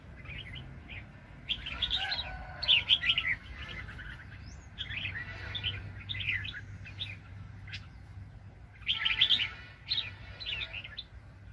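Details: Red-whiskered bulbul, a very aggressive decoy bird in a 2020 trapping session. Repeated bouts of rich, rolling, slurred whistles come in clusters around two to three seconds long, with pauses between and a faint low hum.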